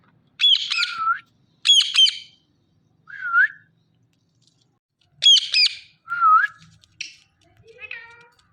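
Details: Squeaky, talking-style phrases from a pet Indian ringneck parakeet come in five separate bursts of scratchy syllables, some ending in a rising whistled slur, followed by softer lower notes at the end.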